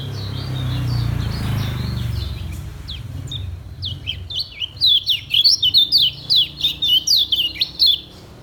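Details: Caged Lemon-bellied White-eye from Lombok singing in the fast ngejos style: rapid high chirped and buzzy notes in quick, uneven bursts, dense in the second half, after a low rumbling background.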